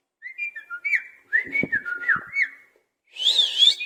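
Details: Caged parrot giving a run of clear whistled notes near one pitch, some sliding up and down, then a harsh raspy burst at the end; a few low knocks in the cage.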